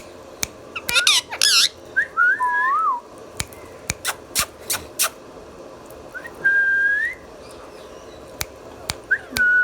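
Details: Indian ringneck parakeet kept as a talking pet bird, indoors: a harsh burst of chatter, then wavering whistled notes, a long steady whistle and scattered clicks and taps.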